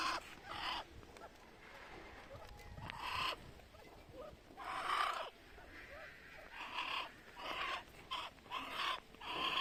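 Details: Muscovy duck hissing: breathy, noisy bursts of about half a second, repeated irregularly every one to two seconds, with a steady faint background hum.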